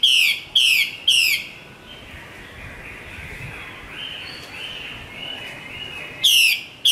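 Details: Three strong downslurred whistles from a female Chinese hwamei of the Northwest highlands, a long softer warbling pause, then the loud whistle returns near the end.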